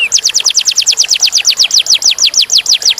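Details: Clear-voiced canary song made of one sustained rapid trill. Bright, sharply downslurred high notes repeat about seven times per second with steady rhythm across the whole passage, and there is no background noise.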